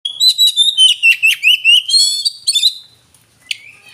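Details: Oriental magpie-robin song meant to rouse birds' emotion: a rapid run of bright, high whistled notes and sweeping slurs about three per second, mixed with chattering trills. It fades into quiet, then ends with one sharp note and a soft trailing whistle.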